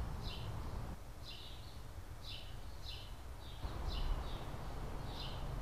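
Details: California scrub jay from a breeding pair raising three chicks at a nest in a tree in 2017 gives short, high, slightly rasping notes about every half second to second over a steady low rumble.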